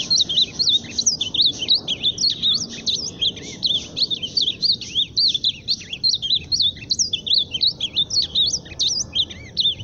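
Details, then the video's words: Loud song of an ultramarine grosbeak, a long unbroken stream of quick, twisting whistled notes swooping up and down, delivered in bursts with short gaps, over faint low background noise. "Azulão cantando forte"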